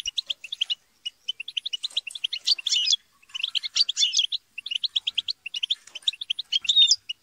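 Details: Group chatter and squabbling of European goldfinches, used to encourage singing. Bursts of quick, clear twittering notes are separated by short pauses, with rougher buzzy clusters inside each burst.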